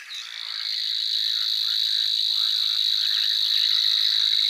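A grass warbler gives a high, unbroken, insect-like reeling buzz that holds steady throughout, with faint softer chirps underneath.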